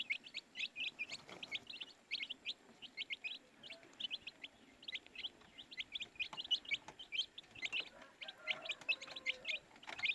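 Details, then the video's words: Young chicks chirp in a busy flock, rapid high-pitched peeps overlapping throughout, with light background rustle and a faint low tone late. "baby chicks chirping sound"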